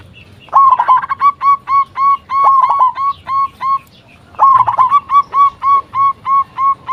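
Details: Local zebra dove used as a lure to get other doves calling back: two bursts, each opening with a rolling trill and running into a steady train of evenly spaced short coos.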